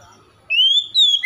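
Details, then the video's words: Oriental magpie-robin (kacer) singing to provoke a quiet bird into song: a short clear whistle rising gently, a brief break, then a higher note easing downward. "SEKALI MENDENGAR SECEPATNYA KACER MALAS BUNYI RESPON IKUTAN GACOR"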